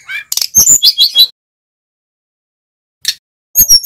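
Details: Short snatch of a male mountain flycatcher's lure song: a quick cluster of bright, high chirps and twittering notes, then almost two seconds of silence, a single brief buzz, and a final rapid chirping run.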